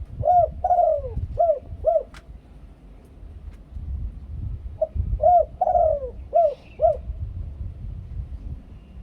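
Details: Spotted dove from Thailand, a decoy bird singing the two-kuk ku-ang style: low hooting coos, each phrase a few short rounded notes and one longer falling drawn-out coo, repeated twice with a quiet gap, faint low rumble behind.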